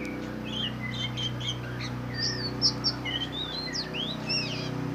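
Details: Black magpie, known locally as than đen and kacer hitam, singing a varied song of clear whistled slurs, some rising, some falling, delivered in quick phrases over a steady low hum.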